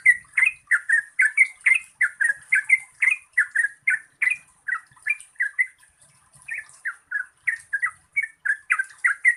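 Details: Trucukan, the Yellow-vented bulbul, in a long 'gacor ropel panjang' song meant to get quiet birds singing. Liquid, gurgling notes come in a brisk unbroken chain, with one short gap near the middle, over a faint constant high hiss.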